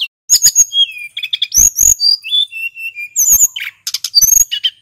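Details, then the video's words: Male hill blue flycatcher recorded as a lure for other birds and as a tutor for young birds: a dense, nonstop run of high whistled notes, quick chirps and trills broken by sharp harsh clicks and rasps. "Sulingan gunung jantan gacor ngeroll"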